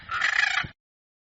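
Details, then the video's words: Hyacinth macaw in nature uttering a single grating, buzzy squawk lasting under a second, then silence. "Canto Da Arara | Arara Azul | Arara Azul Cantando | Arara | Arara Na Natureza | Som Da Arara"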